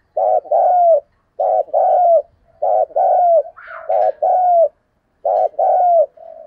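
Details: Spotted dove decoy bird gives steady prodding and calling coos in the thổ voice style: five paired phrases, a short note then a longer falling coo, about every second, with a faint higher chirp midway.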